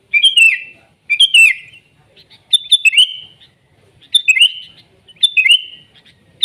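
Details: Sooty-headed bulbul singing in the wild, gacor: rich bubbly phrases that start high and tumble lower, delivered in regular bursts about a second apart, quiet background.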